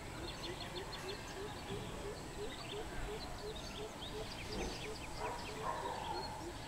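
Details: Deep hollow hooting from a greater coucal, 13/06/2020, notes evenly spaced about three per second throughout, with lively twittering of other birds overhead.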